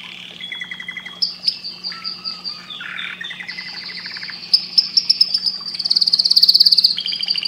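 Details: Canary song for breeding stimulation: varied tours of short repeated chips, a low buzzy section, level whistles and a loud, very rapid high trill near the end.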